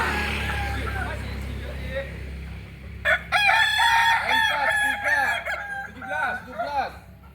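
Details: After about three seconds of low humming background, a Solok Kokok Balenggek rooster from West Sumatra breaks into a bright, stacked crow with a run of quick, bouncing lower syllables that trail off.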